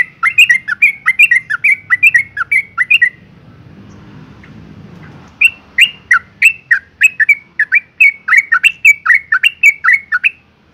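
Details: Yellow-vented Bulbul female in breeding condition summoning males with a fast, even run of bright down-slurred notes. A quiet pause of about two seconds follows, then the string resumes steadily and loudly.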